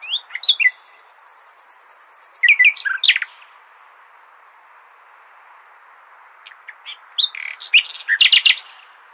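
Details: Nightingale singing in the Hasaniya style as a model for goldfinch and hybrid chicks; a long, very fast, even trill of high clicking notes lasting over two seconds, a pause, then loud scattered chattering phrases.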